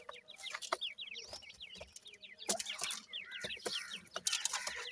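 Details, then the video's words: Francolin (teetar) chicks give dense, shrill, down-slurred peeps in overlapping bursts, alongside intermittent sharp clicks and rustling. "irani teetar chicks ki best awaaz"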